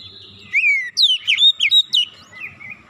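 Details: Oriental magpie-robin song used as a lure to make sluggish birds sing: a steady high whistle, then a sequence of loud slurred, looping whistled notes with sharp upsweeps, fading into softer warbles, faint low rumble underneath.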